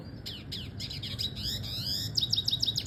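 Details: Double-dilute red siskin song used as a tutor recording: a fast, twittering run of high buzzy trills and sliding notes, ending in bright repeated chips about three per second over a low background hum.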